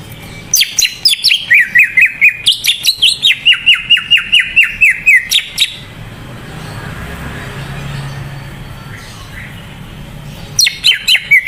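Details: Greater green leafbird song used to coax other leafbirds to sing; a five-second run of rapid repeated whistled notes with high chips, followed by a long quiet stretch and a short burst at the end.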